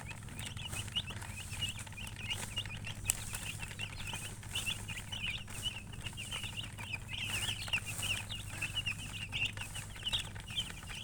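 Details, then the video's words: Fainter, busy peeping of chickens near a hen, with high short chirps running continuously and blending together, one sharp click partway through, and a steady low hum underneath. "silly chicken chirping sounds with murgi hen color chicken"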